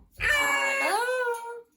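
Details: Pet Amazon parrot saying hello: a drawn-out, voice-like word whose tone dips then rises and holds steady, with human voices repeating hello around it.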